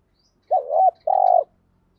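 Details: Lone phrase from a spotted dove in the thổ voice, used to get decoy doves cooing: a rounded double note, a short gap, then a steady drawn-out low coo.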